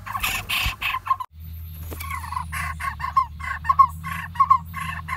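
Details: Lineated barbet nestlings in a dead durian tree hollow, close to fledging, calling as parents bring food; harsh rasping bursts in rapid series with clipped rising notes, a low steady hum beneath and a brief knock near the start.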